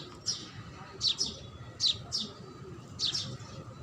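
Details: House sparrow calling in quick paired chirps, high and bright, three clusters separated by short pauses, with a soft background hum.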